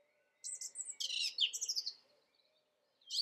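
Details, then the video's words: A song thrush (Turdus philomelos) delivers a bright, high phrase of quick chirps and scratchy notes lasting about a second and a half, then starts another after a brief pause. "The song thrush – Turdus philomelos"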